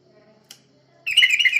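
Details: Lure recording of yellow-vented bulbul song for drawing in other birds: a faint low hum and a single click, then a brisk, bubbly run of chirped notes at the end.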